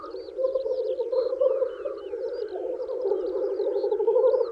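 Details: Several male black grouse lekking in spring to attract females, producing a constant gurgling, cooing roll, overlaid by varied whistles and trills from nearby songbirds.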